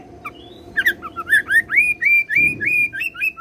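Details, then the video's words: Oriental magpie-robin song with cililin and serindit imitations: a quick series of rising whistled slurs and chirps, about four per second, over a steady low hum. "KACER ROLL CILILIN SAMBUNG SERINDIT"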